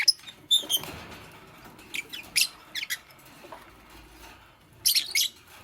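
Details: Nest-building Fischer's lovebird, green, paired with a pastel lovebird, giving high squeaky chirps, first a quick stacked pair, then single bursts and a final double note, with quiet shuffling in between.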